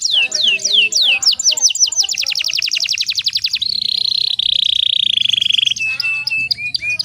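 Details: Female canary ready to breed, recorded to provoke males to sing: quick looping whistles speeding into a rattling trill, then a long steady buzzy roll, closing with short dipping notes.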